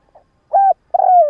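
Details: Morning cooing from a spotted dove used as a decoy to attract others: a short low note followed by a longer, gradually falling coo.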